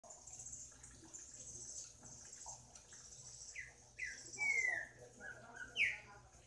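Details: Green-winged saltator singing: a few loud, clear whistled notes near the end, one long falling slur, following quieter scattered notes, with a steady high hiss and low hum behind.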